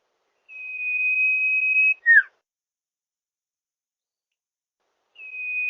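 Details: Common iora lure call for drawing in wild birds: a long, level, clear whistle held for about one and a half seconds ends in a quick downslurred note. After a pause the same whistle starts again. The background is quiet.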